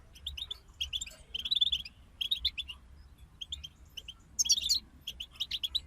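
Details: Several European goldfinches sing lively high twittering phrases with buzzy trills and liquid chirps. They break off and restart every second or so, including one louder, higher flourish late on, over a faint hum.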